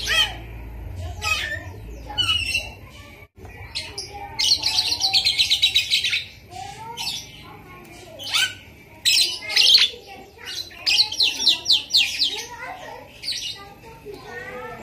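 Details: Javan myna in captivity performing a full song of lovebird imitations: long runs of harsh rasping chatter and squawks in irregular bursts, with brief whistles and a faint voice in the background.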